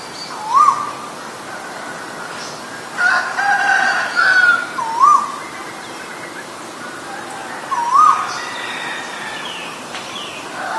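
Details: Asian koel (Eudynamys scolopaceus), male and female: upswept whistled notes repeat at uneven gaps, with a burst of other mixed calls in between and steady background hiss.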